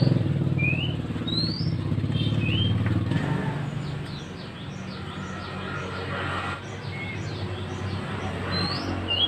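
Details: Mantenan bird singing for a training recording, with short whistled upslurs and downslurs scattered irregularly and a few thin high notes, all set against constant heavy vehicle rumble.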